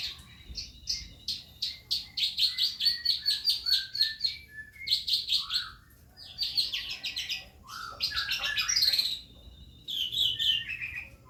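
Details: Calandra lark practising its song as a lure bird: a long run of quick, high, metallic chirps repeated rapidly, broken by pauses, then tumbling twittered phrases and a few downslurred whistles.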